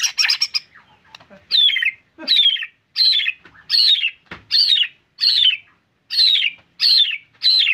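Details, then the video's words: White-rumped shama in busy 'gacor' singing: opening burst of harsh chattering notes, then a rasping, downward-slurred high note repeated roughly every seventy-five hundredths of a second, with occasional soft clicks between. "Murai Gacor"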